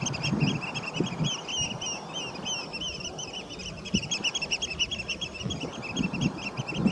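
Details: Six Eurasian oystercatchers gathered on the main scrape at Nightingale Ponds on the morning of 27 June 2022, getting raucous: a continuous overlapping chorus of shrill, piping notes repeated rapidly throughout, over a low rumbling background.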